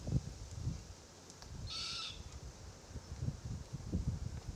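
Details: An immature Forest Red-tailed Black-Cockatoo (Calyptorhynchus banksii naso) calls from a Marri tree as the adult pair feed on gumnuts. It gives one rasping, harsh call midway, amid frequent low thumping and rustling noises.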